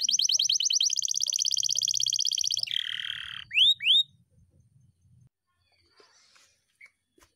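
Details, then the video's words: Singing canary delivering an extended fast roll for nearly three seconds, dropping into a lower buzzy trill, then two loud rising whistles, followed by near silence with faint low background noise. "KENARI GACOR NGEROLL PANJANG"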